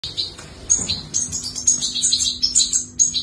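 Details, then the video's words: European goldfinch, a newly fledged chick being fed: rapid high-pitched chirps and twitters repeated about twice a second, sharp bright notes with faint background hum. "Feeding New Goldfinch!"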